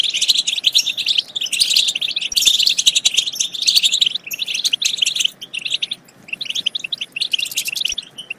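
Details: Goldfinch chorus meant to excite other goldfinches into singing and mating; continuous high, buzzy twitter of overlapping chirps, dropping to scattered notes around six seconds before resuming.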